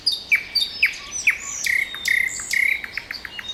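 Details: Nightingale trills: loud down-slurred notes repeated about twice a second, followed by two rapid rattling trills and a few short chips.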